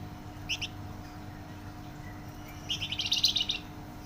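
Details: Flamboyan singing actively with a loud, dense voice: two quick high chirps, a pause, then a fast rattling run of buzzy high notes that swells and fades, over a faint background hum.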